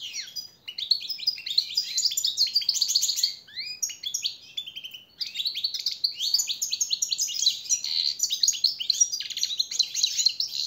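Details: European goldfinch training song for captive birds: a long, fast, liquid twittering with tinkling trills and buzzy notes in near-continuous phrases, with a short pause near five seconds.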